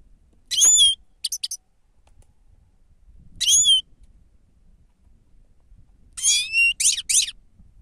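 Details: Grey-crowned goldfinch used as a lure: whistled calls alternating with quick twittering notes, and a final cluster of buzzy, rasping notes, in a quiet setting.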